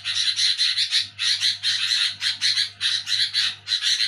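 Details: Noisy night chatter of a sooty-headed bulbul: scratchy, buzzing pulses in closely spaced groups, rising and falling in loudness, with a soft low hum throughout.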